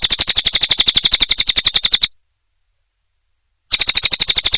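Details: Cililin training song: about two seconds of fast, sharp, high chirps repeated evenly, a silent pause, then another quick run of the same chirps.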